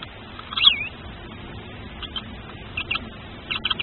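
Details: A newly hatching tawny owl chick, first of its parents' brood, gives thin, high squeaky peeps in short bursts, about four times over a few seconds, with faint scratching between them.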